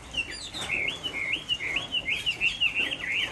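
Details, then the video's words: A caged Chinese hwamei in Hai Phong, Vietnam, sings on a rainy afternoon: a loud, rich run of looping warbled whistles that rise and fall quickly, the phrases tumbling together almost without pause. "Họa mi hót chiều mưa"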